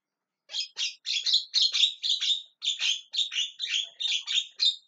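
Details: A steady series of loud, rasping, buzzy squawks from a calling Javan myna, repeated roughly twice a second without a break.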